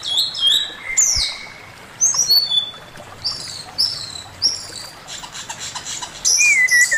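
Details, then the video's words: Male Chinese hwamei master song: sharp high whistles and short downslurred notes in scattered bursts, ending with a long loud descending whistle. "Burung poksay mandarin suara masteran Poksay mandarin jantan"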